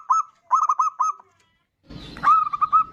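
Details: Zebra dove, bodronoyo type, singing as a lure for other birds: short phrases of soft, quick cooing notes separated by a second of silence, with a faint rustle before the last phrase.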